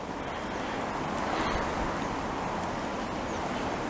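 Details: Steady, loud roar of wind or engine noise fills the whole recording, with no animal calls standing out.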